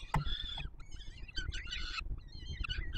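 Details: Peregrine falcon nestlings in Warsaw being fed, July 2022: a sharp click, then overlapping short scratchy begging squeals that waver in pitch, with low background rumble.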